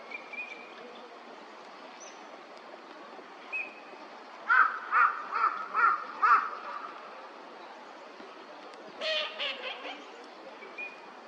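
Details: Eurasian teal, a wintering duck in a park pond at Junsainuma Ryokuchi, Chiba, Japan, in February 2026, gives five short, ringing mid-pitched notes in a quick, even run, then a harsher burst of calls, with faint high whistles between.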